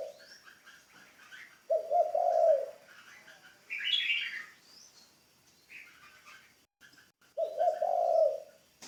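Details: Spotted dove kept as a ground decoy bird in training, giving two low, throaty coo phrases about six seconds apart, each lasting near a second, with small birds chirping higher between them and a faint steady high hum.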